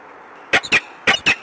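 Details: Peregrine falcon, Palace of Culture and Science, Warsaw, 13 March 2015, late morning: two pairs of loud, hoarse, grating notes in quick succession, with little else heard.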